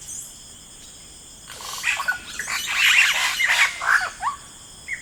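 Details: Yellow-rumped cacique in rainforest: after a quiet start, a dense two-second outburst of overlapping rasping, chattering notes, ending in a couple of short falling calls, over a high insect drone.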